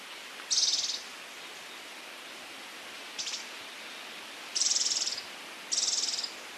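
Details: Scaled Antbird calling in Brazil: four high, buzzy, finely pulsed bursts, each about half a second long except one shorter, rattling note. They are spaced unevenly over a steady soft hiss.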